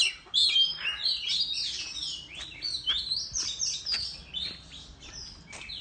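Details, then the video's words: Oriental magpie-robin singing competitively in the Vietnamese countryside while fanning its tail, a rapid run of varied whistles, slurred notes and sharp chirps, high and shifting in pitch, with quiet background. "Chích Choè Than Hót Múa Xoè Hót Đấu Tại Vùng Quê"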